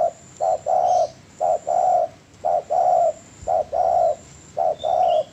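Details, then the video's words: Spotted dove song from a master recording for training birds: a steady run of low, hollow coos. Each short note is followed by a longer drawn-out one, and each pair repeats about once a second. "MASTERAN DERUK YANG PALING DI CARI BANYAK ORANG"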